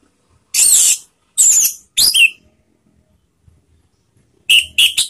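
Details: Orange-headed thrush giving loud scratchy screeches, three spaced notes followed by a quick cluster of shorter harsh calls with a whistled tone; silent background.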